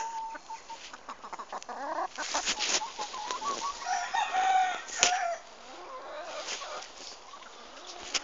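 Silkie chickens cluck and chatter in busy overlapping bursts, with short nasal notes and a few higher squawks running over one another.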